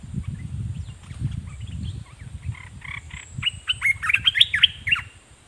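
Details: Decoy red-whiskered bulbul singing at wild birds, building from soft scattered notes into a lively run of bright, bubbling warbled phrases, with low background rumble and a constant thin high tone.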